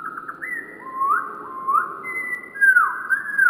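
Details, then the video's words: Wren singing, with the audio slowed down: rising whistled slurs and level held tones, a sharper drop and rise near the end, with a faint low background hiss. "Wren Birds Singing with Amazing Slowed Down Audio - Bird Song"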